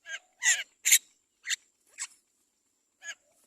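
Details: Great myna chick being carefully fed by its mother: harsh, raspy bursts of begging notes, several close together and then spaced apart, in quiet surroundings.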